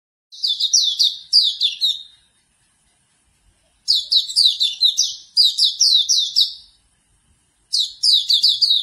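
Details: Hume's white-eye song used as a morning therapy track to get a bird singing quickly: high, bright phrases of rapid down-slurred chirps, each burst about two seconds long, separated by clean pauses.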